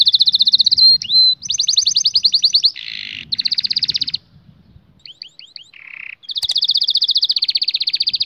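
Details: Canary song played for training young canaries: loud, rapid trills of repeated high notes, broken by a brief whistle, a lower buzzy roll and a short pause with scattered chirps, then a long even rattling trill to the end.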